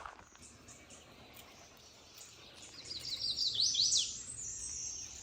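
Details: Golden-winged Warbler, confirmed by sight, singing a Blue-winged Warbler–style song (hybrid complex): a high, thin buzzy phrase then a harsher buzz. Recorded on a trail in Ontario willow thickets on a sunny, calm, 15° morning, 18 May 2024, around 7 am.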